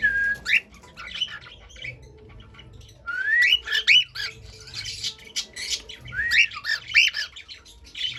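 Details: Cockatiel pet song: a flat whistle opens, then repeated rising whistled notes in clusters, mixed with scratchy chirps and quiet pauses.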